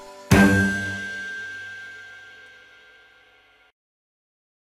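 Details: A single sharp metallic clang rings out and fades slowly over about three seconds, with no animal sounds.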